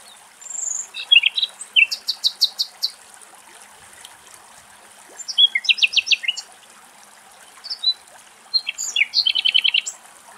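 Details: A common nightingale sings in Greek nature in three bursts, each a rapid run of repeated high, rattling notes with sharp whistles, with pauses of a second or two between bursts.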